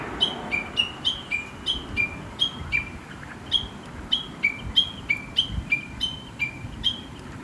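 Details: Chatty song of a wild Chinese hwamei living in rural surroundings and heard every morning: a long string of short, high, falling notes in paired pitches, roughly three a second, clear above low ambient noise.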